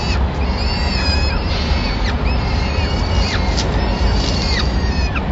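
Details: Peregrine falcons in Madrid on 25 April 2016: the male is on watch, the female arrives with a pigeon and feeds the chicks; thin, wavering, high wails several times a second over heavy low wind or traffic rumble.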